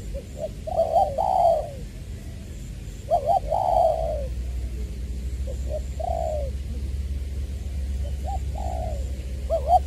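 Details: Vietnamese spotted dove decoy from Trà Vinh, 'giọng tiểu' voice, February 2021. Spaced cooing phrases of quick short notes followed by a longer sliding coo, with pauses between, over a persistent deep background hum.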